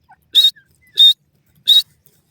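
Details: Three loud, brief, piercing high notes from an excited male francolin (teetar) chasing after a female, evenly spaced with near silence between them.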